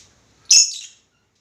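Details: A pet lovebird at home gives one sharp, shrill squawk lasting about half a second, with nothing else heard afterward.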